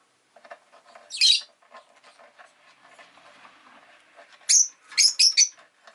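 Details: A pet rosy-faced lovebird lets out one piercing chirp, then after soft clicking patter a quick run of four sharp, high, squeaky chirps.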